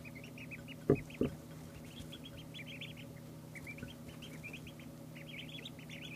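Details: Two-day-old ducklings: small clusters of short, high peeps come in quick runs over a steady low hum, broken by two sharp knocks near the start.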